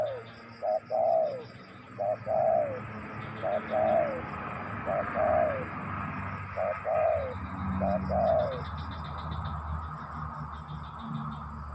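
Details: Spotted dove cooing in regular phrases: a short coo followed by a longer, slightly falling mellow note, repeated about every one and a half seconds. A steady thin high whine and faint background hiss continue throughout.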